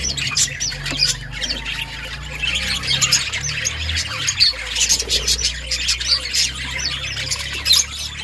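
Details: Parakeet chirping: steady busy twittering of many short high notes from budgerigars, with a low steady hum running beneath throughout.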